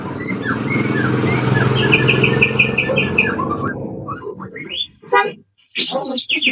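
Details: White-rumped shama pastol lure song for provoking birds to sing: a fast string of repeated bright notes over loud low background noise, then a brief pause and sharp, varied whistled bursts.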